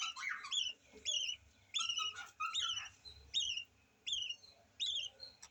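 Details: Young yellow lovebird chick giving a steady run of short, high, downward-bent squeaks, about one every three-quarters of a second, opening with a brief rougher burst of chatter.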